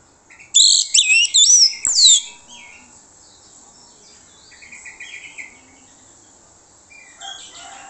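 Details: Orange-headed thrush singing as a lure for other birds to answer: an opening burst of loud sweeping whistles and twittering slurs, then quieter scattered chirps and soft distant phrases.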